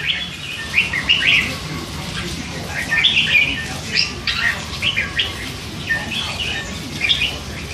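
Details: Young hand-fed red-whiskered bulbul, three months old, chattering constantly; scattered chirps and short warbles in loose sequence, with faint low background hum.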